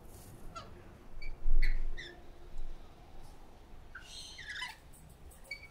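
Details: Rainbow lorikeets (Trichoglossus moluccanus) competing and frisky at a backyard bird bath in dry Sydney give short, harsh screeches and chattering squawks in scattered bursts over a low rumble of wind or background noise.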